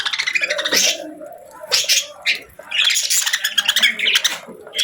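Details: Pet budgerigars chirping softly: bursts of bright, scratchy warbling chatter with brief pauses between phrases.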